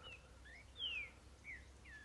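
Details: Green-winged saltator (trinca-ferro boiadeiro) singing freely in the forest: a few clear whistled notes, one long and falling, the others short slurred whistles, over a soft background hiss, while its songs per minute are counted.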